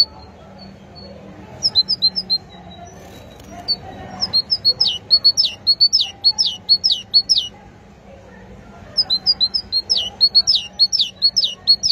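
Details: Great tit singing in two long bouts of rapid, high, downward-slurred paired notes, preceded by a few thin soft notes, with a steady low hum and a quiet gap between bouts.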